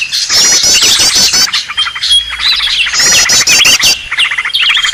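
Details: Green leafbird 'ribut' call used to draw in birds: two loud waves of dense chirping and squeaky trills separated by a quieter moment, with short clear whistles.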